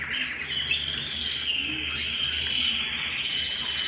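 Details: Canary singing at home in one long, even, buzzy trill with little change in pitch or volume, plus a soft steady hum in the background.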